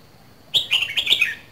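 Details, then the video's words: Red-whiskered bulbul from Dak Lak, a cage bird, singing a single bright phrase lasting under a second: a sharp opening note, then a run of liquid warbled notes descending in pitch. "CHÀO MÀO LÂN DAK LAK 2 MÙA SIÊU BỘNG"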